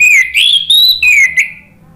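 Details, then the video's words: Orange-headed thrush lure call used to prompt other birds to answer and sing gives a loud, clear whistled phrase of about four linked notes, sliding up then down, all within a second and a half. "Pancingan ANIS MERAH bikin NYAUT ikut BUNYI GACOR NGEPLONG"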